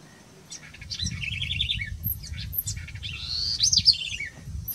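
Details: Two phrases from a house wren (Troglodytes aedon). First comes an evenly beaded trill of quick repeated notes. Second is a busier, bubbling warble rising to high squeaky notes, then a short trill, over faint low background rumble.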